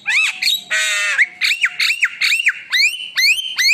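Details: Javan myna song full of whistled fill-in phrases: a rasping note, then repeated rising-and-falling whistles and upward-slurred notes in a quick, looping pattern.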